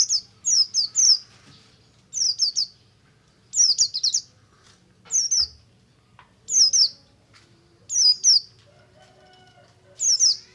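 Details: Oriental white-eye, Buxtomi type, singing ngalas to trigger song in other white-eyes: regular bursts of two to four thin, high, falling whistles roughly every one and a half seconds, over faint background noise.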